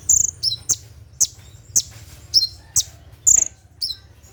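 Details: Night-time 'tembakan' song of a brown-throated sunbird: high, thin, slightly slurred notes alternating with sharp clicks, spaced irregularly about every half second, with a quiet low hum behind.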